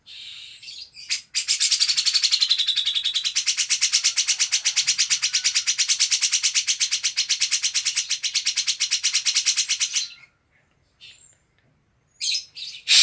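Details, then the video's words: Green leafbird in full song with cucak jenggot (grey-cheeked bulbul) material: a sustained, very fast rattling stream of high, harsh notes lasting about nine seconds, then a pause before noise. "Kolaborasi sangar kicau cucak ijo dan cucak jenggot"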